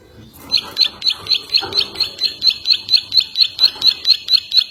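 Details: Ciwah recording meant for training other birds: after a brief quiet start, bright high chirped notes repeat in an even rhythm, roughly two every second, about seventeen in all, over soft background rustle.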